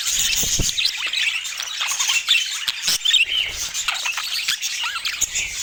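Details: Budgerigars, kept as pets, in a busy flock of chatter: many overlapping high warbles, squeaks and short rising chirps, dense and continuous throughout with no pauses.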